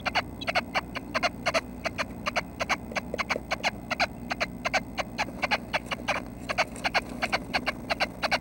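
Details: Near-fledging nuthatches at their nest early on a May 25 morning: sharp short chirps repeated steadily, often in pairs, over a faint hum.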